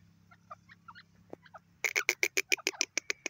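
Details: Grey francolin calling: faint scattered notes at first, then a fast run of sharp, loud clucking notes, about four per second, continuing to the end over low hum.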